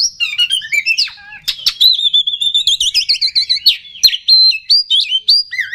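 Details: An oriental magpie-robin sings to stir up rival birds: a busy medley of fluttering whistles, wavering trills and sharp clicks, continuous and varied in pitch.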